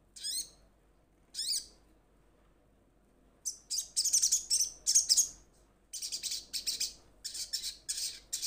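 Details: Olive-backed sunbird call used to summon companions: two high sweeping chirps, a pause, then rapid runs of sharp, very high tseet notes in bursts of varying length.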